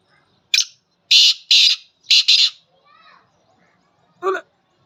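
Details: Wild black francolin in Pakistan or India gives its natural call, a harsh, grating phrase of about five loud, rasping notes over two seconds, then a single lower, shorter note after a pause.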